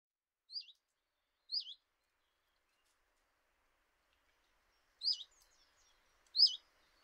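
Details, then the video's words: A single common chiffchaff calls at a kitchen window in Eibar in early March 2018. It gives four short, sweet, wavering notes that slide downward: two close together, then a pause of about three seconds, then two more. The background is silent. "Txioa (Phylloscopus collybita)"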